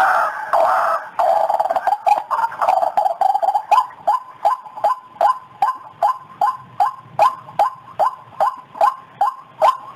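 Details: White-breasted waterhen lure call used to attract birds: a dense burst of harsh, overlapping croaking notes, then a long series of short, rising, strident notes repeated at a steady rhythm, about two per second.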